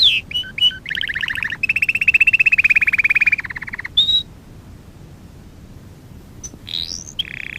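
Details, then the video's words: Canary singing in a recording meant for canary training: varied phrases of rapid trilled notes, a long steady rolling trill at the center, then quieter scattered whistles over background hiss. "Kanarya sesi kanarya eğitim/1 canary sing"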